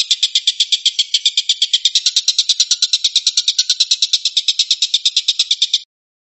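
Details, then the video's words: Shooting-style 'tembakan' song of the collared kingfisher (tengkek buto): harsh, buzzy notes in a quick regular rattle for about six seconds, ending suddenly in silence. "kicau tembakan burung tengkek buto"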